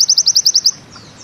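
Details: A fast run of about eight bright, high chirps in quick succession from a pleci (white-eye) in bustomi style, the 'ziperrr' trill breaking off into quiet after under a second.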